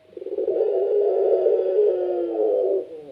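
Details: Lively-voiced pelung Barbary dove holds a single long, low, steady rolling coo lasting over two seconds, beginning with a few quick pulses before fading out.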